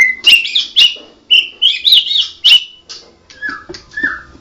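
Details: A Medan white-rumped shama, blorok type, delivers sharp, high, twisting whistles in quick bursts with scratchy edges, ending in softer, lower slurred notes.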